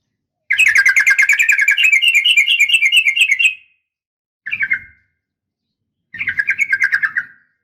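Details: Female sooty-headed bulbul in uplik tarung (fighting) style, calling males to respond. A fast, buzzy trill of repeated notes lasts about three seconds, then comes a short burst and a final falling trill.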